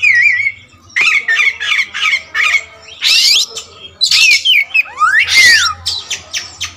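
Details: Black kacer wulung magpie-robin mixes a short warbled whistle with a series of harsh rasping notes about every third of a second. Loud broad screechy bursts and a downslurred whistle follow. A faint low hum runs through.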